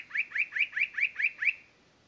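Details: Spot-breasted Parrotbill at Doi San Ju, Chiang Mai Province, Thailand, giving a quick series of seven short, upward-slurred notes in about one and a half seconds, evenly spaced, then silence.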